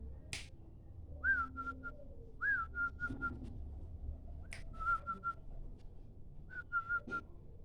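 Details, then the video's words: Local zebra dove lure call: clear whistled phrases, each a swooping first note then three or four short even coos, repeated about every 1.5 seconds, with a few sharp clicks and low background rumble. "suara pikat perkutut lokal"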